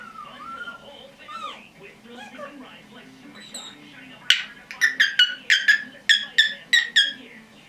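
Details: Quiet mumbling chatter from a pet female red-bellied parrot, 10.5 months old, gives way to a run of about ten crisp, evenly spaced chirping clicks, each under half a second.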